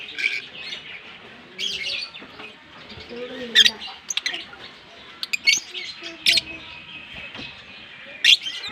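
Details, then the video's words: Pair of green Fischer's lovebirds kissing and chattering: rapid high squeaks and scratchy chirps in uneven bursts, punctuated by loud sharp clicks, with faint low tones in the background. "Lovebird Singing & Chirping Sounds - Green Fischer Pair"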